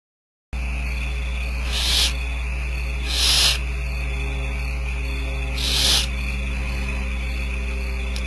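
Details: Barn owl owlets, about four, on a ranch nest camera begging while the female feeds them; three harsh, breathy hissing screeches, each under half a second, spaced one to two seconds apart, over a steady low electrical hum.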